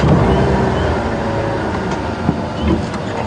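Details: A vehicle engine rumbles steadily on a sunrise safari drive, with low droning noise, some wind and faint background murmur, and no clear animal voice.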